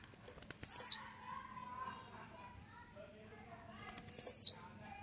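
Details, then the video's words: Two loud, buzzy, descending high notes from a grumpy, fired-up Blue-black grassquit, about 3.5 seconds apart. Faint clicks come before each, with a softer whistled bird call in between. "esquenta seu tiziu🔥tiziu rabugento"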